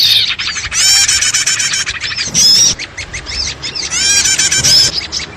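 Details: Small birds in a noisy mixed chorus played as a lure for trapping birds: dense, overlapping high chirps and rising sweeps, with bursts of busy twittering separated by brief quieter gaps.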